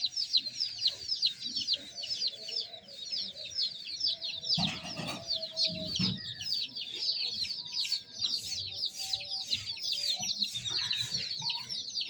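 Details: Many young chicks peeping continuously: a steady chorus of shrill, downward-slurred chirps packed closely together, briefly joined by a low scuffing noise around the middle.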